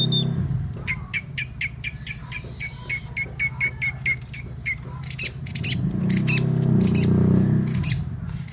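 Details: Long-tailed shrike singing a lure song meant to make other shrikes sing: a series of crisp, mid-pitched notes repeated about twice a second, then harsher, higher chattering bursts, over a loud constant low hum.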